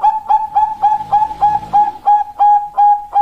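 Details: Bangkok zebra dove female calling a male, giving a long run of short even coos on a single pitch, about three per second, with a soft murmur of low background noise in the middle.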